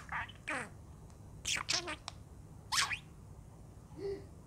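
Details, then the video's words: A pet budgerigar, recorded in the morning talking to itself, chatters in short, scratchy bursts with rapid sweeping chirps and squeaky mimicked phrases, separated by brief pauses in a quiet room. "Talking budgerigar"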